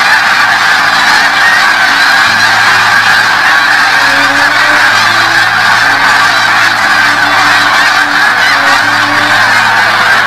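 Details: Spring migration of snow geese in 2017, a massed flock giving an unbroken wall of high, overlapping honking yelps, with a few steady low droning tones running underneath.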